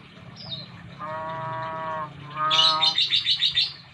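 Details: A young Nias hill myna (Gracula robusta) from the Nias islands, North Sumatra, is just learning to talk and is very chatty. It gives a drawn-out voice-like speech phrase, then a quick run of about six bright, ringing whistles.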